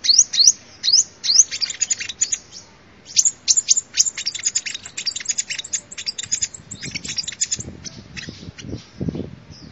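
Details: Lure recording of a sunbird: several rising high slurs at first, then dense clusters of thin, tinkling chirps, fading into softer scattered notes with some faint rustling near the end.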